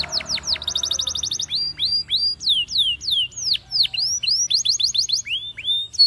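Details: Spanish Timbrado canary training song with a few sharp downswept notes, a fast metallic roll, then repeated slurred whistles falling in pitch and a closing burst of quick trilled notes.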